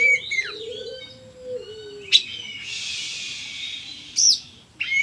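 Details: Oriental magpie-robin giving sharp whistled notes and a long harsh hissing phrase, with a steady low tone in the background.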